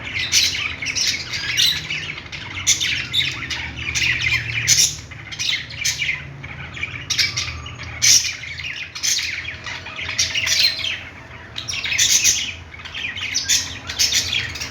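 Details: Long run of playing budgie chatter, rapid high chirps and harsh squawks rising and falling in bursts every second or two, over a constant soft hum.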